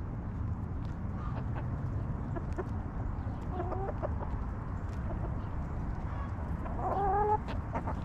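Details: Backyard chickens in their coop cluck softly, with brief tonal calls midway and a louder drawn-out harmonic cluck near the end, against constant low-frequency background hum.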